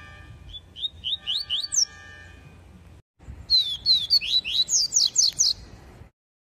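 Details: A captive Yellow-bellied Seedeater, taken outdoors for an airing ahead of a tournament test, sings two quick bursts of bright, high slurred whistles of several notes each, over a faint steady background hum.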